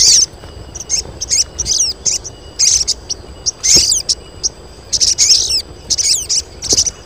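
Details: Crested jays, a colony of females calling to lure males: dense bursts of high, thin chirps and arched squeaky notes in irregular clusters, with short pauses, over a steady high whine.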